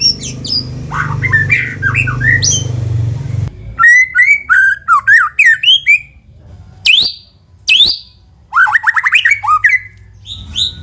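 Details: White-rumped shama song used to stimulate other shamas into singing: a varied opening over low humming noise, then loud rapid whistled phrases, sharp chips and quick rising trills with short silences between bursts.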